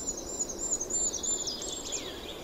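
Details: A Goldcrest singing in winter gives a very high, thin series of repeated lisping motifs that ends in a quick descending flourish, over a soft background hiss.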